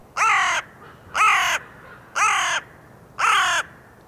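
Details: In Poland, a Hooded Crow gives four harsh, drawn-out caws, each about half a second long and roughly one second apart, hoarse and slightly falling in pitch; this crow feeds in fields and on city lawns.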